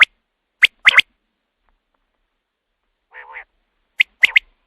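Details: Common quail call used at night to lure quail for hunting: a few sharp, high clicking notes, a short nasal buzzy burst in the middle, then a quick three-note 'pwit-wit-wit' phrase, with silence between.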